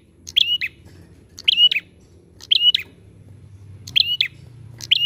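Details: Prinia lure song made of bright, squeaky chirps, each with a quick follow-up note, repeating about every second and a quarter over a faint low hum.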